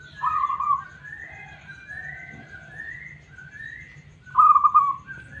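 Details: Local zebra dove with a clean, smooth song, used as a lure to get other doves singing. Two loud purring trilled coos bracket a run of softer, higher rising whistles, with low hum beneath.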